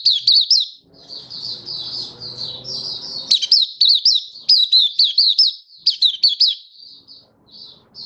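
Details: Malaysian white-eye singing freely in Singapore, warm sunny day, 20 March 2023; continuous high, fast warbling with looped twittering notes in long runs, a soft low rustling noise briefly in the background.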